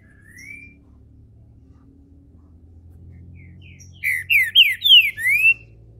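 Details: ['Captive green-winged saltator from a registered breeder in Brazil, warming up into its main song: a soft rising whistle, a pause, then a loud burst of five slurred, downward-sweeping whistled notes in quick succession.']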